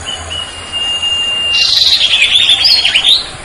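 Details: Common Iora, locally cipoh, singing the sertu style: a thin, long level whistle, then a burst of rapid, busy chattering twitters over steady hiss.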